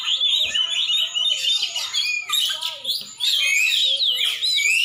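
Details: Rich, energetic song from a champion Oriental magpie-robin in Aceh: bright whistled phrases mixed with scratchy trills and quick rising sweeps, pausing briefly near the middle before resuming loudly.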